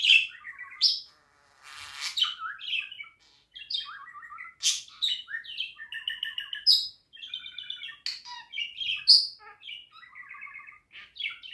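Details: Pet budgerigar warbling indoors: a continuous chattering song of varied chirps, clicks and short buzzy notes, with bursts of harmonic trills and quick rising whistles, nearly unbroken for the whole stretch.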